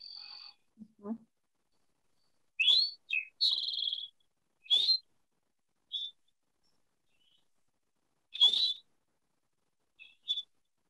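Eastern Towhee song, the 'drink your tea' pattern: short high whistled notes, then a longer ringing trill, sung several times with pauses. A brief human voice comes at the start.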